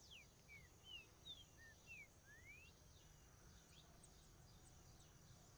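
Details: Trinca-ferro, the green-winged saltator, giving a quick run of short descending whistled notes ending in a longer rising slur, then faint high chirps from other birds amid steady background hiss.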